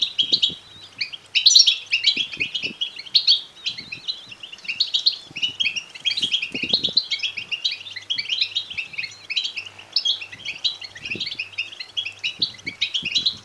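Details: Young European goldfinches calling to be fed: a thick, unbroken chatter of high chirps and twitters from many birds, with scattered faint clicks throughout.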